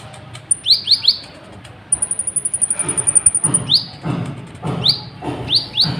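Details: Excited sunbird in full song, meant to provoke other birds into singing; quick runs of high, upward-swept chirps alternate with a long, fast, needle-thin trill, over low background rumble.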